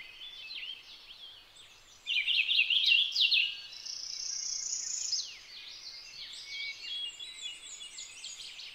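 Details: Purple finch song: a rich, fast warble of twittering, slurred notes. It is loudest and densest from about two to five seconds, then goes on more softly with quick chirps. A faint steady hiss sits underneath.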